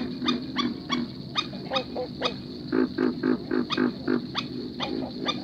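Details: At night in a marsh, startled Black-necked Stilts, perhaps a pair, give distress calls: sharp, nasal, barking yelps, several per second in uneven bursts, over a low marsh hum.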